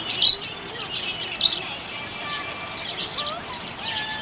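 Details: Happy budgerigar chirping: short high chirps and warbling twitters, with two louder sharp chirps near the start, over a steady background hiss.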